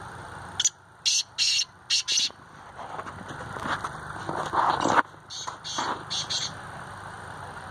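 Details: Black francolin in Sindh, Pakistan: a quick series of about five harsh, buzzy, high notes in the first two seconds, followed by softer, lower rasping notes and further short buzzy bursts over steady background noise.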